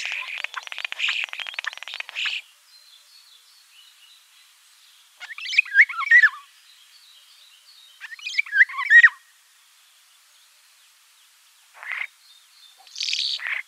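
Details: Starling song in bursts: a long crackling rattle, then harsh, squeaky twisting phrases separated by quiet stretches, with a faint high whistle underneath.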